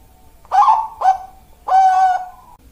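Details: Zebra dove (perkutut) with a 'malaikat maut' voice, described as suited for breeding stock, giving a short phrase: two quick mellow coos followed by a long, steady drawn-out coo, on a quiet background.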